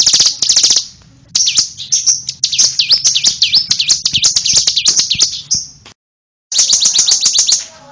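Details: Bar-winged prinia song: high, sharp notes repeated quickly in dense runs, with curved, dipping whistles in the middle, a short pause, then a fresh burst of rapid ticking notes.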